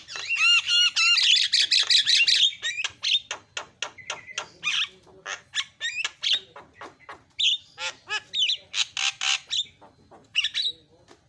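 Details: Javan myna calls to provoke other mynas into calling: a dense opening of whistles and grating squawks, then a long irregular series of sharp clicks, chatters and harsh notes.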